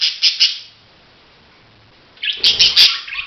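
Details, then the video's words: Budgerigar giving sharp, high chirps at the start, a silent gap, then a loud cluster of harsh, squawky chirps near the end. "Budgies: life in the wild and at home"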